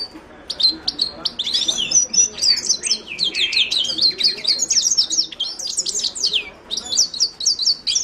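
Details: Himalayan goldfinch (Carduelis caniceps) song: a fast, continuous run of high twittering notes, sharp chirps and quick rising and falling slurred whistles, delivered in dense bursts with brief pauses.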